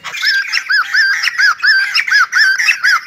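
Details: White-crested laughingthrush, singing and dancing ballet-style, repeating a clear arched, slurred note about three times a second, each note rising and falling in a bouncy, regular rhythm.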